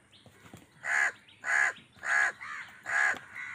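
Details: Angry crow in a food fight with wild birds, calling five quick, hoarse caws about every half second, fairly quiet, over low background noise.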